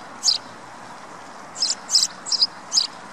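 A sparrow gives short, high chirps in quick, uneven bursts, about five in three seconds, over a faint steady background hiss.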